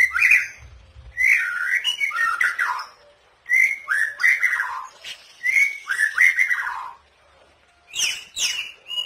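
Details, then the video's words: A white-rumped shama trained with cotton-shot, canary and cililin fill-ins sings rich, fluting whistled phrases every couple of seconds, rising and falling, mixed with chattery borrowed notes of other birds. "Murai Batu Isian Kapas Tembak, Kenari & Cililin"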